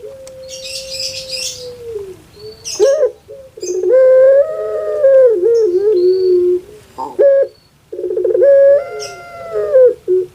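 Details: A puter pelung dove kept in Java, Indonesia, whose voice is likened to a crying infant: a long level tone sliding down, then burring coos that waver and fall, with brief high chirps of another bird at the start.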